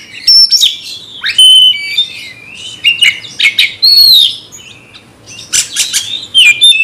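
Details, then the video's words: Magpie-robin singing at a rival to fight: clear, high whistled notes mixed with harsh chatters in loud bursts, a quiet pause near the end before a final phrase. "nembak lawan tarung KACER BRUTALISME"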